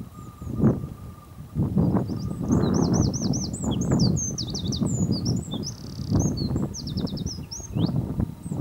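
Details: A Eurasian wren on Texel, Holland, on 13 November 2011 pours out a loud, high, rapid song of sharp notes and fast rattling trills, over heavy low rumbling wind noise.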